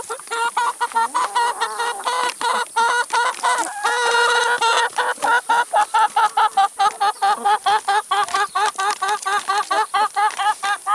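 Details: A group of chickens eating salad and vegetables, producing a fast, regular series of clucks, about two per second and steady throughout, briefly joined by a louder drawn-out squawk around the middle.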